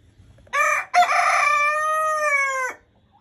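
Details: Buff Silkie rooster crowing: a short harsh opening note, a brief break, then a long, strained, slightly falling held note lasting about two seconds before stopping abruptly.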